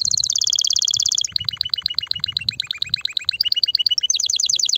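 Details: Canary singing loudly to stimulate females for mating and nest building: rapid trilled tours of high notes, a fast buzzy roll switching to pulsed two-part syllables, then a rising sweeping trill.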